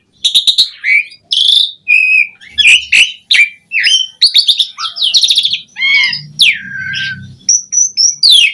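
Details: Asian pied starling singing at full strength with varied fills, for luring other starlings into song: quick stuttered clicks, slurred whistles and harsh buzzes alternating, with a long thin high whistle near the end.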